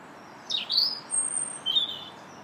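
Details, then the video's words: Robin singing in a park in early March: a high phrase that swoops down then up, a thin very high whistle, then a shorter level whistled phrase. "Robin Singing"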